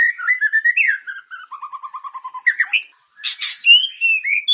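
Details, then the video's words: White-rumped shama song used to stimulate caged birds to sing: clear whistled phrases, a run of evenly repeated short notes sliding lower, then a pause and rich warbled, rising whistles. "Suara pancingan burung murai ❗gacor dan berkarakter"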